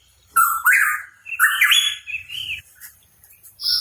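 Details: Hooded pitohui, known as cucak rawa papua, singing: a rising whistled note followed by a longer warbled, slurred phrase, with a faint low hum behind.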